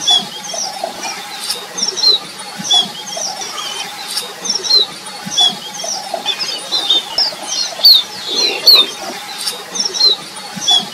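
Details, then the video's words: Red avadavats (Amandava amandava) while eating give thin, high chirps and squeaky notes scattered irregularly over a soft, steady background hiss. "Red Avadavat eating and sound"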